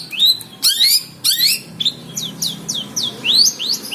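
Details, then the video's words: Kept long-tailed shrike, fierce when teased yet still singing; a lively run of sharp upswept chirps and rising whistled notes, several each second, with a few buzzy bursts near the start. "Cendet Galak tapi Gacor"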